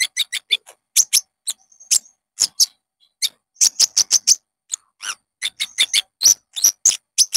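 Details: Konin, the olive-backed sunbird, singing a lure song meant to trigger caged birds: dense bursts of very high ticking chirps, a few thin level whistles, and short pauses.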